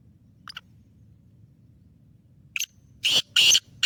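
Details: Black francolin, Sindhi type of the Pure Lakka Nasal strain, described as calling 12 times a minute; after near silence, two loud harsh grating bursts close together near the end, preceded by short thin squeaks.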